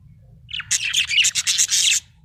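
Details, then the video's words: Happy budgerigar chattering in a fast run of raspy, buzzy high chirps lasting over a second, pulsing several times, with faint low hum behind. "Happy budgie chirping sound"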